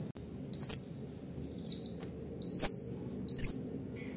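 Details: White-rumped shama in gacor singing: four sharp, high whistled notes, each dropping slightly in pitch, delivered roughly once a second against a faint steady hiss.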